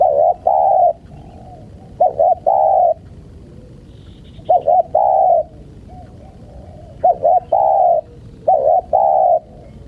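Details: Spotted dove, played to lure wild birds, giving low cooing phrases: two short rising-falling notes, then a longer sustained coo, repeated about every two and a half seconds over a quiet background.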